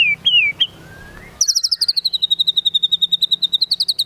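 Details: White-rumped shama of the Medan type singing vigorously, its song filled with imitations of cililin and cucak jenggot: a few loud whistled slurred notes, a pause, then a long rapid high trill of evenly repeated pulses.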